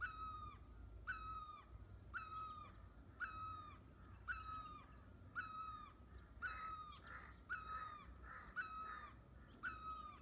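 A European green woodpecker gives harsh, ringing single notes, about one per second, with a few overlapping calls midway. A low rumble runs underneath.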